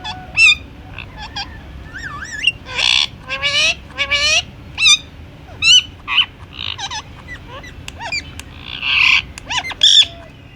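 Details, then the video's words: Pet Indian ringneck parakeet vocalising in a long run of loud bursts: harsh harmonic squawks mixed with quick looping whistled notes and sharp chirps, spaced irregularly about a second apart over a quiet background. "Talking parrot video😱# Indian Ringneck parrot video😱"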